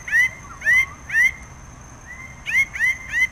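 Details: Harsh, upslurred nasal notes from a Red bird-of-paradise: three evenly spaced, a pause with a softer drawn note, then three more in quick succession; a faint steady electronic whine underneath.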